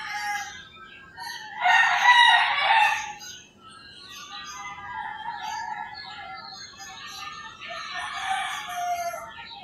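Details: Rooster crowing in the early morning in rural Philippines: one loud, harsh harmonic crow around the second second, with assorted birds chirping and whistling in the background throughout.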